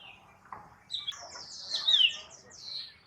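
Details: Black drongo (Dicrurus macrocercus) utters a short, high sequence of thin whistles and squeaky, slurred notes, building to a bright peak near the middle and then fading.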